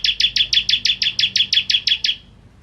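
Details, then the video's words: Bar-winged prinia in full song, used to tutor shamas. Around twelve loud, high, evenly spaced chirping notes follow one another quickly, then fade into quiet. "Masteran Ciblek Kristal Gacor"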